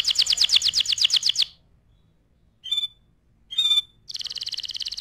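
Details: Canary song meant for tutoring other birds: a fast trill of repeated notes, a pause broken by two brief chirps, then a steady high rolling trill.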